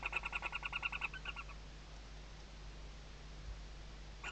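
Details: Western barn owl chicks under their mother's wings at a nest-box webcam, Riet Vell reserve, Ebro Delta, Tarragona, Spain, 2023 season: a rapid series of harmonic chittering notes for about a second and a half, then fading into steady low hum.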